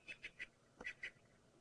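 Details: Natal spurfowl at Twin Dams, Djuma, Sabi Sand, South Africa, at twilight just after sunset on a windless May evening, making a racket but not alarm calling: harsh, grating cackles, five rasping notes in quick succession with a short break midway.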